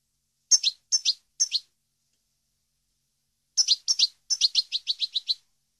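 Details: European goldfinch recorded for teaching song to captive birds: two bursts of short, high, chirpy notes, a group of three, then after a pause a faster run of about ten clipped tweets, with no other sounds.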